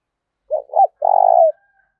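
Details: Spotted dove kept as a decoy bird, calling fiercely and eagerly to provoke a rival: two short hollow coos, then a longer, rolling, vibrating coo about half a second long. Low and mellow, with quiet surroundings.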